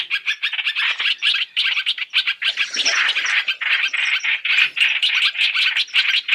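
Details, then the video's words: Three-in-one Chinese hwamei lure for trapping: clipped bursts of harsh chatter, broken into short groups with small pauses, becoming denser toward the end. "Tiếng chim hoành hoạch (trao trảo) mồi 3 trong 1 chuẩn để bẫy"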